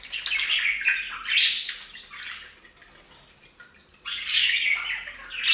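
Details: Bathing budgies at a fountain give two bouts of rasping, warbled chatter separated by a short, quieter pause.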